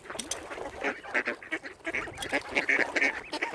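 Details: Lakeside waterfowl chorus of mute swans at Oxford Island Nature Reserve, Northern Ireland: quick nasal notes tumble over one another, some higher and more ringing, without any gaps.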